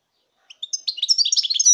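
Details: Short fragment of European goldfinch song from 2019: a couple of lead-in notes followed by a dense run of high, liquid, tinkling twitters.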